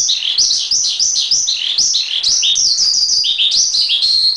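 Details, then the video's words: Javan pied starling master recording: loud, high chirps that step down in pitch, repeated rapidly in an energetic, continuous warble. "Masteran Suara Jalak Suren"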